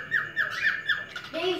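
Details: Captive male cockatiel in a breeding collection of parrots, whistling to tease and court a female: a brief run of clear whistled notes, four short rising-falling phrases in quick succession, then a softer lower note, in a small indoor room.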